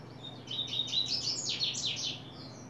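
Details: July 2024 recording of a double-collared seedeater beginning to open its song: a bright, high-pitched burst of twittering notes followed by several rapid, slurred descending buzzes, then a softer trailing note, against low constant background noise.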